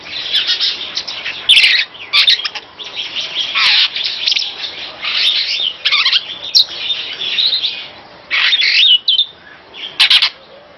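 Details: Superb starling, a master bird, singing a long, dense, chattering song of rapid mixed notes, squeaks and harsh bursts, nearly continuous with short pauses.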